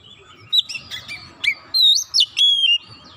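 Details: Oriental magpie-robin singing steadily, a lure recording meant to provoke other magpie-robins into song at once: clear whistled notes and slurred phrases, some rising, some falling, with a sustained whistle near the end over a faint steady hum.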